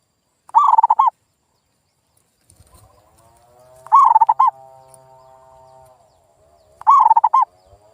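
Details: Zebra dove lure call meant to revive silent local birds: three quick, rolling coo phrases about three seconds apart, with a sustained droning tone and low rumble between them.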